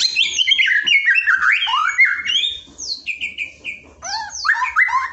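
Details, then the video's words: Shama song meant to train a lazy white-rumped shama: rapid sliding whistles and chirps strung tightly together, softer flat whistled notes midway, then loud rising phrases. "LATIHAN ISAN KICAU UNTUK MURAI BATU YANG MALAS BUNYI"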